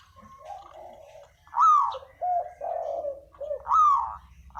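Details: Spotted dove calling as a lure. Hoarse coo notes slide downward, then low, rolling coos follow, with a second sliding note near the end. There is faint background hum.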